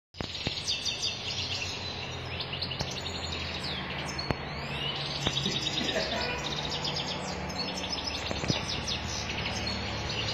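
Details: European goldfinch of the sharmar type singing with power: fast twittering, tinkling high notes and short buzzy trills run continuously over steady low hum and background noise.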